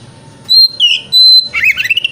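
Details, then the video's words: Kacer, the white-rumped shama, in a 'wikplong' song excerpt: two long pure whistles separated by a lower buzzy note, then a burst of rapid scratchy chatter. "Pancingan Kacer Wikplong - Cocok Untuk Terapi Kacer Di Pagi Hari Agar Buka Ekor"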